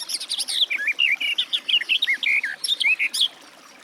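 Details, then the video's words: Garden warbler (Sylvia borin) delivering a fluent, rich warbling phrase of just over three seconds, with quick twisting notes that run together, then falling silent. "Warbler garden, birdsong"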